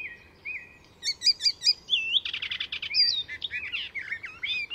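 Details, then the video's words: Full song of an Icterine Warbler at Fysingen reserve north of Stockholm, Sweden, weaving in mimicked sounds of other species: loud varied phrases of twisting whistles, buzzy rattles and quick repeated chirps with hardly a pause. "Icterine Warbler in full song; A master of mimicry"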